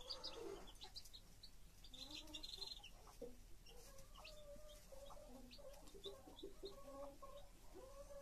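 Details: Broody hen tending her chicks, soft repeated clucks in short groups at a steady pace, with thin high chick peeps early on and a brief human remark after.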